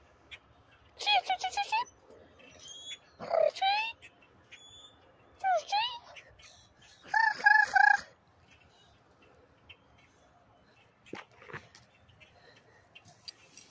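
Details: Very hyper Common Grackles in Charlottetown, Prince Edward Island, give short bursts of squeaky, creaking calls with a harsh, wheezy edge; Common Grackle.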